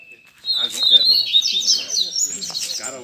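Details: Double-collared seedeater at a Sunday-morning gathering of bird keepers with friends, singing a fast, high, buzzy twittering phrase that begins with a thin whistle and runs on in quick rising and falling notes, with men talking quietly underneath.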